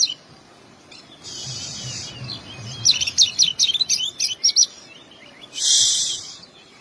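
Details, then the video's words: Oriental magpie-robin singing its full fill-in song: a harsh, hissing burst, then a quick string of high, sharp whistled notes, and another loud raspy burst at the end; faint low rumble underneath. "burung kacer/koci bunyi keluar isian"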